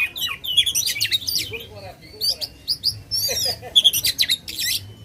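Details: Oriental magpie-robin in loud, continuous song, used to provoke contest birds: a dense mix of sharp whistles, rapid trills and clicking buzzy notes, with many quick phrases packed tightly together.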